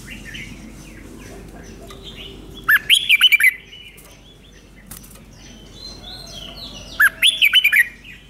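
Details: Thai Red-whiskered bulbul, kept as a caged singer, repeating its five-syllable doubled song for young birds to copy: two short bursts of quick, liquid warbled notes, each about a second long, separated by several seconds of soft hiss and faint chirps.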